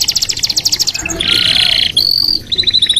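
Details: Red canary singing a fast, high pulsed trill that runs into a loud buzzy roll, then a thin whistle and a quick chattering trill.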